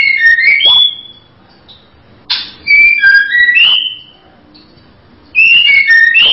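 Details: Female white-rumped shama repeating short whistled phrases with falling and rising slurred notes and a brief sharp click, phrases separated by pauses of one to two seconds.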